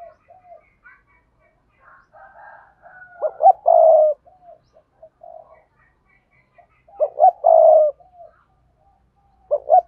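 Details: Spotted dove calls meant to attract wild doves, sa thúc with cooing and crowing: quiet scattered soft coos build into two loud phrases of clipped notes and a long rough coo, faint whistles in the background.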